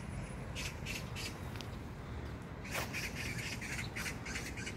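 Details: Magpie at Jangdumot neighbourhood park in Gyeyang-gu, Incheon, South Korea, on June 19, 2022. Two bouts of harsh, rattling chatter: a short run of raspy notes early on, then a longer, louder string of rapid squawks, over a steady low rumble.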